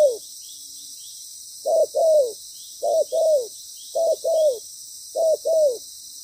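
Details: Moulting decoy spotted dove during trapping, after a quiet start giving four evenly spaced pairs of coos, a short note then a downward-curving longer coo, with a constant insect whine overhead.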